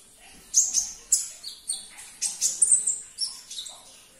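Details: Olive-backed sunbird, recorded to stimulate caged birds, gives a lively run of piercing high chirps and short buzzy trills, about ten sharp notes in four seconds, over a quiet background.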